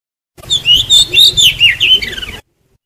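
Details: Lure song of an oriental magpie-robin, played to trap wild birds and make others sing: a two-second string of strong, melodious whistles and twisting warbles, about seven pulses, framed by silence.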